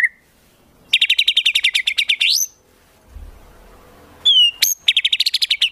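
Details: White-rumped shama song in the 'isian tembakan' style used as a master for competition birds: a rapid burst of about fourteen sharp, high repeated notes ending in a rising sweep, a pause, quick whistled upslurs, then another fast rattling series.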